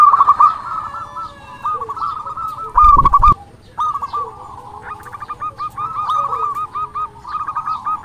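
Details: Local zebra dove in persistent song, meant to stir rival doves to reply: runs of soft, rolling, bubbling coos repeating steadily, broken near the middle by a short loud thump of noise.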